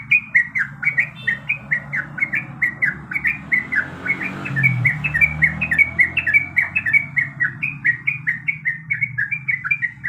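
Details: Breeding-condition female yellow-vented bulbul calling for a male: an unbroken ten-second stream of bright, bubbling chirps, roughly four per second, with a soft low rumble underneath.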